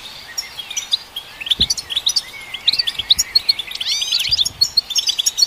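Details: Song of a European goldfinch for stimulating goldfinches, starting sparse then building into quick tinkling chirps, sharp twangy slurs and a burst of rising sweeps, with a few soft low knocks.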